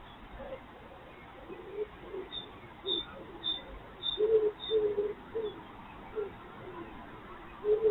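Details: First cuckoo of the year in spring, calling as a wild fox eats: low mellow falling double notes, uneven and spaced a second or so apart, growing louder toward the end, with brief high chirps from a small bird overhead.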